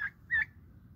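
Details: Two brief, raspy calls from young turkeys about a quarter second apart, followed by quiet with only a faint low rumble.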